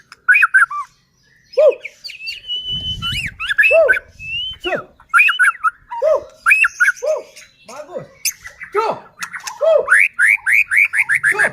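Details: White-rumped shama song meant to provoke rival shamas: varied phrases of dropping whistled notes and a long level whistle, broken by short pauses, closing with a rapid series of bright rising notes.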